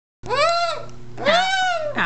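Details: Rescued cockatoo, a feather-plucker kept indoors, screaming loudly: two long harsh arched screams, each about one second, then a third starting, with a steady low hum in the room.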